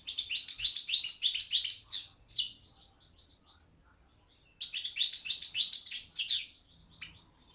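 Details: Championship goldfinch, Carduelis carduelis balcanica, entered in a Serbian-organised internet song competition; two bursts of rapid high chattering and trilled notes with a quiet gap between them and a few soft single notes.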